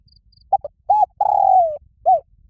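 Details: Spotted dove giving a very loud, ringing call to fight: two short clipped notes, a rounded coo, then a long drawn-out coo sliding downward, with another coo after. A faint high ticking sounds early on.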